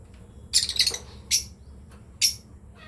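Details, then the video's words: Lovebirds, a breeding pair, producing a cluster of harsh squeaky chirps followed by two single sharp chirps spaced almost a second apart, with a faint hum underneath. "Lovebirds chirping sound"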